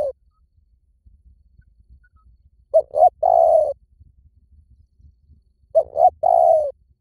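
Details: Spotted dove call used as a decoy lure: two pairs of phrases, each two short cooing notes followed by one longer, mellow, slightly falling coo, spaced about three seconds apart over a quiet background.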